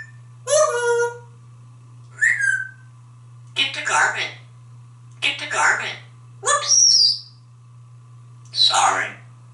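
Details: After a shower, a pet male African grey parrot living in a Texas home whistles and chatters. Six loud bursts come about every one and a half seconds, mixing clear rising whistles and rough squawky syllables over a constant low hum.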